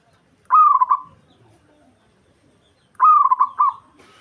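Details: Local Indonesian zebra dove singing to provoke a rival: two cooing phrases, each a loud rising note followed by quick stuttering, rolling coos around one second long, separated by about two and a half seconds of quiet.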